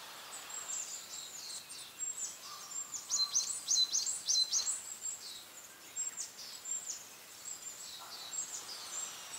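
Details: Long-tailed tits on a mountaintop, a mother feeding a young bird possibly born this year, give very high, thin, tinkling see-see calls in quick overlapping bursts over a soft hiss of background noise.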